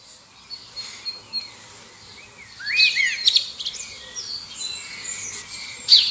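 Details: Common blackbird singing in competition with other birds in the distance to find a mate, near Liverpool under an airport flight path; scattered soft chirps, then a louder burst of rising fluted and twittering phrases around the middle, with distant birds answering.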